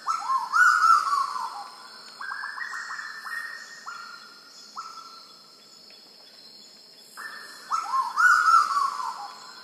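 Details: A Black-billed Koel (Eudynamys melanorhynchus) on Sulawesi gives loud, upslurred whistled notes in a quickening series that fades, then surges again; faint high chirps of other birds sit behind.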